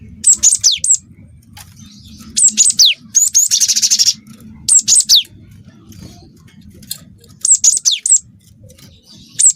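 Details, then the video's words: A cinereous tit delivering canary-filled song: clusters of piercing high notes sweeping downward, one long rattling buzzy trill in the middle, then further whistled phrases after a pause, over a steady faint low hum. "Burung gLatek watu full isian kenari"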